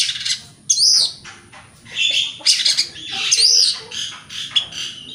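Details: White-rumped shama singing in the morning to provoke rival birds to answer: bursts of high whistled and scratchy notes with sweeping slurs, separated by short pauses, over a faint low hum.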